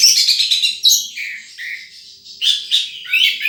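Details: Wild sunbird uttering rapid high twitters, followed by a few lower sliding chirps and two more bright bursts of trilled notes.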